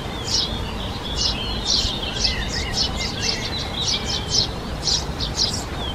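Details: Eurasian tree sparrow (Passer montanus) call: short, bright chirps in quick succession, roughly two a second, over a steady low rumble of background noise.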